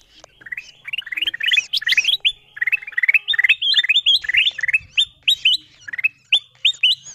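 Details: Lure recording of ruby-throated bulbul meant to call wild birds: lively strings of bright, rising whistled chirps, often in pairs and triplets, repeated steadily over a faint low hum.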